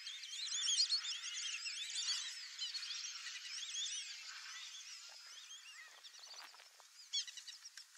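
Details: Wild white-faced whistling ducks in the Pantanal give a chorus of clear, high, wavering three-note whistles, many birds overlapping, fading toward the end with a few soft clicks.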